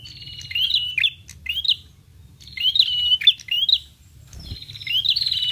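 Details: Lure sound for prinias: groups of two or three shrill, upslurred chirps ending in rapid twitters, separated by roughly one-second gaps, with a soft low hum and one brief thump.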